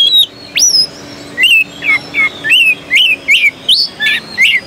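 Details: Pringgodani magpie-robin performing at the 2015 Jakarta Cup singing contest: a string of loud, clear whistled notes, some upslurred and some warbled, spaced under a second apart, with a faint humming background.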